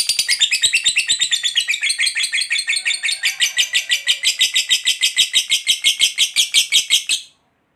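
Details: Lovebird producing an extended ngekek chatter to trigger replies from other lovebirds: rapid, grating pulsed notes lasting about seven seconds, pitch easing upward, then stopping abruptly into silence.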